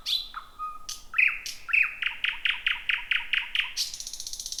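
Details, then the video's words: Thrush nightingale's nocturnal song from a jungle-like thicket, 2026: a whistle, then a long run of rapidly repeated hard chopping notes about three per second, ending in a buzzy burst. "Whippavoo the Thrush Nightingale 2026"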